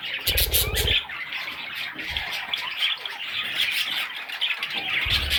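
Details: Budgerigar chicks keep up a shrill, grating chorus of chirps, with low rumbling knocks at the start and end.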